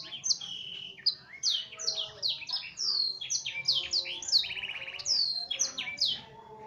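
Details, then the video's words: F1 canary in full song, tutored on blackthroat: dense high chirps and sweeping whistled notes in quick succession, with a short buzzy rattling trill midway. "Burung Kenari F1 Gacor Full Isian Blackthroat Masteran"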